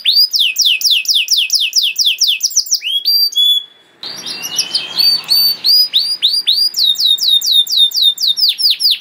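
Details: Singing canary recorded as a master song for teaching juvenile canaries, rapid repeated descending whistled notes in long tours, a brief pause near four seconds, then varied sweeping phrases and bright trilled notes.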